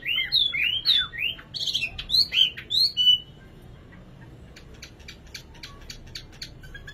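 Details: Nightingale delivering about three seconds of loud, curving whistled notes, followed by a quieter stretch of dry ticking clicks.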